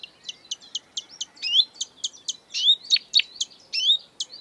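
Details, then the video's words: Marsh warbler in the breeding season, a mimic of European and African birds, singing exuberantly: a fast run of sharp, high chirps and clicks, some falling, some rising, with short whistled slurs mixed in. "An exuberant marsh warbler (Acrocephalus palustris)"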